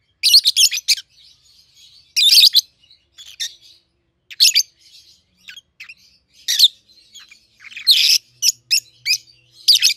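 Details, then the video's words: Two captive peach-faced lovebirds, red-headed green opaline and red-faced dark green, 7-8 months old. Dense shrill chirping: quick stuttered bursts, loud harsh squawks and a fast run of clipped notes near the end. "Peach-Faced Lovebird's Sounds"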